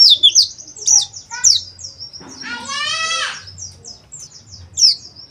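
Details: Oriental white-eye, used to stimulate rough chattering and open-beaked calling: thin high chirps repeated about every half second, interrupted by a harsh, buzzy, broadband rasp lasting over a second, then more sharp chirps.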